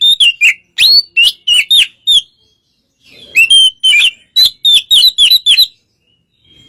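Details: Oriental magpie-robin singing calmly to provoke a reluctant rival into fighting; rapid bursts of short, sliding whistled notes in two phrases, separated by a brief pause with a faint low rustle.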